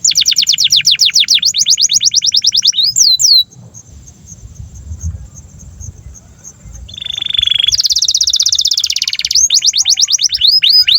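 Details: Caged canary song used as a master recording for teaching young canaries and coaxing silent ones to sing: rapid repeated descending whistled sweeps in fast trills, a pause with low background rumble, then a buzzy rattling phrase and more trills.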